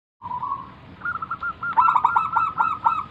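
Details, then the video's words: Local wild zebra dove singing steadily, used as a lure to draw other doves into song; a held cooing note opens, then rapid stuttering, rolling coos build to louder pulsed bursts over a constant soft hiss. "burung perkutut lokal Gacor manggung - pancingan pikat paling Ampuh mengundang bunyi"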